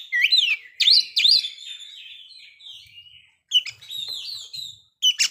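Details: Oriental magpie-robin singing as a lure for breeding condition and aggression. Loud sweeping whistles open the passage, then quieter drawn-out warbling and a brief pause before renewed chirps.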